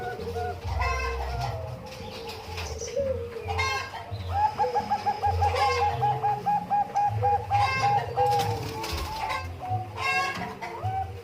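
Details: Zebra dove of the Bangkok type at Umbaran: quick, even runs of short staccato cooing notes, joined by chicken sounds and a low rumble.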